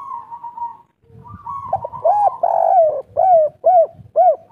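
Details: Local spotted dove of the kuk 3 style, kept as a hobby songbird, used to lure other doves into calling: a long flat coo, then a run of loud arched coos about every half second, with low rumbling noise beneath.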